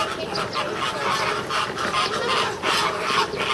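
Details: Captive American flamingos at Ueno Zoo in Japan, June 2016, squabbling as though arguing; harsh nasal honks tumble over one another in a busy flock chorus, about two to three notes per second.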